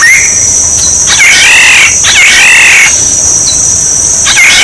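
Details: Black-naped oriole song used as a decoy call: fluty, wavering whistled phrases repeated about once a second over a steady high buzzing hiss.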